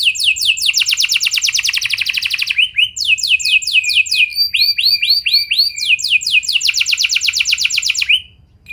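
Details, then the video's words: Canary singing as a lure meant to prompt other canaries to sing along: loud, rapid rolling trills alternate with slower runs of sweeping downslurred notes, with a short pause near the end. "Pancingan Ampuh Bikin Kenari Lain Bakal Ikut Gacor Do0r Dengan Pancingan Ini! Langsung Nyaut Ngeroll"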